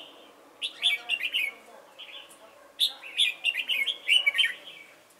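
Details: Red-whiskered bulbul used as a decoy bird for trapping at Chùa Hương, Vietnam, on 28 November 2017: two bursts of bright, warbled, slurred phrases with quick chirpy notes, separated by a short pause.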